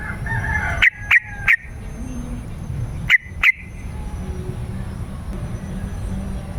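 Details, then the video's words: . Yellow-vented bulbul lure song for drawing wild birds in forest and garden, also used to get caged birds singing. A quick burst of three sharp notes, then two more a moment later, over faint low rumble. "Suara Trucukan Pemikat gacor"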